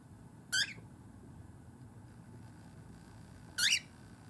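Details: Two loud, scratchy "geh!" calls three seconds apart from a pet cockatiel in a quiet room, urging its owner to let it climb onto a hand during time out of the cage.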